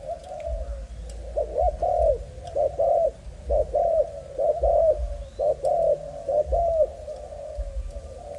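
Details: Malaysian-type spotted dove, young bird of breed line 55, cooing in a rhythmic sequence of hollow rising-and-falling notes, each preceded by a short clipped note, over a low hum.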